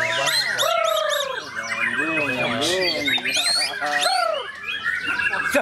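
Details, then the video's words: White-rumped shama song: loud, varied phrases of rich whistled notes that slide up and down, with full harmonic tones, arching slurs and sharp high chirps, delivered continuously. "Murai Batu"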